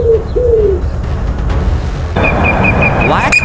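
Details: A wood pigeon gives two soft, low, hollow coos in quick succession, then steady background music with a repeated high electronic tone takes over.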